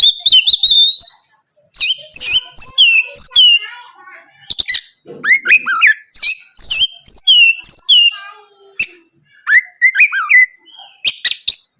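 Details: Oriental magpie-robin in lively morning song, played as a lure so rival birds answer; dense bursts of high whistles, downslurred notes and chattering phrases, broken by short pauses.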